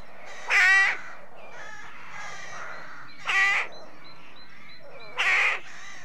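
Three harsh, grating rook caws come about two seconds apart. Softer croaks and thin calls from other birds in the colony fill the gaps.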